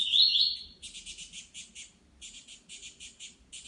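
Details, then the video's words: Saffron finch heard in nature opens with a brief bright warble, followed by rows of short, rasping chirps in quick groups with short pauses. "Canário da Terra na Natureza"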